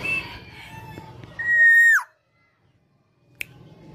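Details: A tame female black-naped oriole sings vigorously, giving one loud, pure, level whistle that drops sharply at the end, then silence and a single sharp click amid faint background noise.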